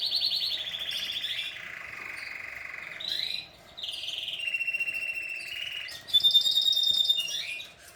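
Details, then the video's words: Canary singing: long high rolling trills in rapid repeated notes, shifting pitch between sections, with a brief pause, then a brighter, sharper trill near the end, over a steady low background hum. "canary singing"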